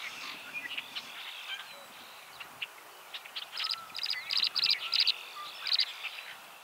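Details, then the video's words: A tree swallow calling while defending its nest box gives bright, liquid chirps, scattered at first, then in quick clustered bursts of high twittering notes, against a faint outdoor hiss. "Tree Swallow Calling and Defending Nest Box"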